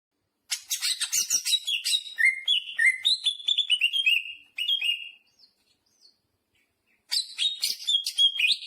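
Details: Greater green leafbird singing at full, excited output, its song stuffed with jamtrok phrases: rapid chattering, sweeping whistled notes stepping between high and mid pitch, a short pause, then another dense burst.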